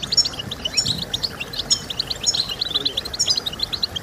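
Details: European goldfinch in full song, a lively stream of high, sharp chirps and liquid twitters delivered in fast succession, with a faint low rumble beneath.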